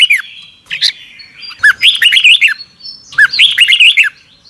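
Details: A red-whiskered bulbul sings its morning training song in the double-twist voice style, used to teach other birds: a long thin whistle, then two loud rollicking runs of looping, chirpy notes.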